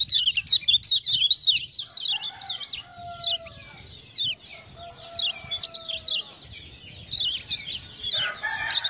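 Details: Kecial kuning, the Lemon-bellied white-eye of Lombok, kept as a song tutor and urged on by ciak-ciak calls. It gives fast zigzag twitters at the start and later, with steady, lower, flat whistles between them.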